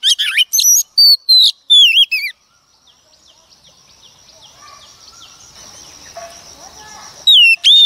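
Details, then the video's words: Singing wild-caught female Oriental magpie-robin, used to excite males, gives a burst of sharp overloaded whistles and slurs, then a long quiet stretch of faint background hiss, and a brief final phrase. "choè than mái bổi lên kích trống quá hay phần 2 | Kích Choè Than Hót"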